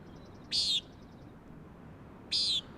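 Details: Common Nighthawk giving two harsh, nasal, buzzy peent notes about two seconds apart on the Acadia coast of Maine, over a steady wash of high surf crashing on rocks.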